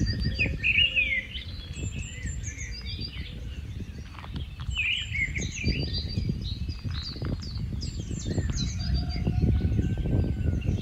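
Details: Rufous-tailed scrub robin, a migratory bird, giving a varied, high, twittering song of quick phrases and sharp whistled notes, over steady low rumbling background noise.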